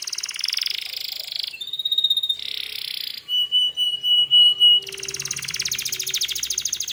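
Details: Singing canary meant to goad other canaries into replying, alternating dense buzzy rattles with pure sustained whistles and a pulsed series of loud notes, ending in a long rapid rattling trill.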